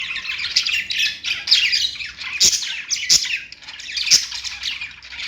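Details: Budgerigars singing on their perch in a steady scratchy warble of chirps and squeaks, punctuated by a few loud sharp clicks.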